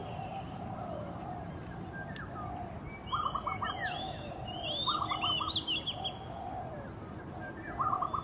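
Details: Oriental magpie-robin giving territorial song in early morning light, with an oriole visiting. Clear whistled phrases sliding and warbling in the upper register come mid-clip, over repeated lower buzzy trilled bursts and a steady background hum.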